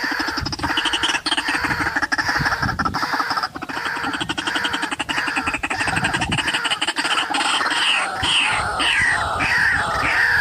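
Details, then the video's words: White-breasted waterhen calling at a forest bird-trapping site: continuous dense series of rough, clucking notes, with higher squeaky whistles joining in toward the end. "Pikat Burung Ruak Ruak"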